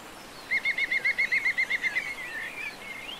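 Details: European green woodpecker recorded in the mountains of León, Spain, in January 2022: a fast series of about a dozen ringing, evenly spaced notes, slightly laughing in quality. It trails into a fainter wavering note over quiet rural background noise.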